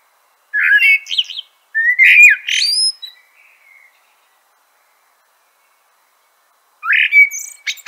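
A common blackbird sings mellow, fluted phrases that end in thin, squeaky twitters. Two phrases come close together, then a long pause before a third.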